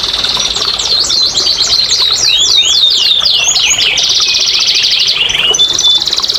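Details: Canary singing, played to coax lazy, silent canaries into song: a dense rolling trill of looping whistled notes that settles into a long steady buzzy roll, high and bright throughout.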